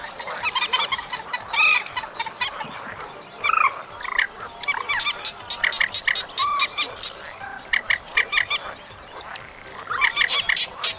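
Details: Chestnut munia, recorded in August, producing irregular bursts of harsh chattering notes mixed with several clear upslurred whistles, over a soft, constant hiss.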